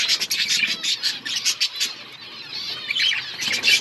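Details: Several budgerigars in an outdoor colony chirping in quick overlapping bursts, mixing bright tweets with harsher squawky notes and warbled phrases.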